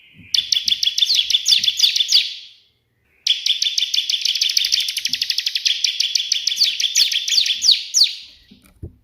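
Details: Bar-winged prinia, locally ciblek, singing hard in the tembakan shooting style of the white prinia, used for training other birds. Dense rattling bursts of thin, high, metallic notes run for two and then five seconds, with a silent break between.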